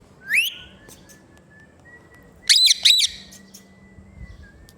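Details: Pet talking ringneck parrot, green, gives a sharp rising whistle, then a long thin level tone, and two harsh buzzy squawks near the end over a faint low hum.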